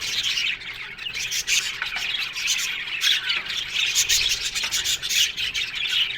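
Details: Aviary colony of Australian budgerigars chattering together: dense, scratchy warbles and chirps layered without pause, high and bright, with brief louder squawks rising out of the steady din.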